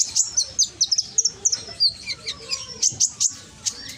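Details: Piercing high chirps of a scarlet-headed flowerpecker, recorded in Gresik, East Java, as a lure to make lazy birds answer: evenly spaced sharp ticks and short thin notes, tailing off into sparser calls.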